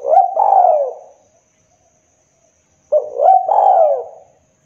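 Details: Spotted dove lure call for trapping wild doves in Indonesia. Two identical coo phrases about three seconds apart, each a quick rising hoot followed by a longer falling, slightly rough coo.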